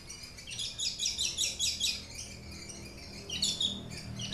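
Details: Papuan aliena Horsfield's bush lark in captivity sings a rhythmic series of high scratchy trilled notes repeated about four times a second, pauses briefly, then resumes with more rapid chattering phrases.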